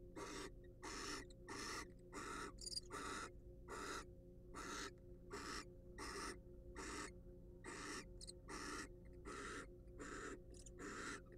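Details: Barn owl in a wild, research-monitored nest box: a rapid series of rough, snoring hisses, some closer together and some spaced, with faint higher squeaks between a few.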